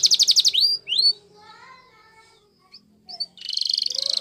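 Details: Canary Timbrado training song with a brief fast roll and two rising whistles, a quiet gap of soft faint notes, then a buzzy pulsing trill building at the end.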